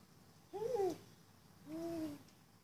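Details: Spotted eagle-owl in Johannesburg suburbia, South Africa, recorded 28 February 2014: two low hoots about a second apart, the first short and downslurred, the second longer, softer and a touch lower.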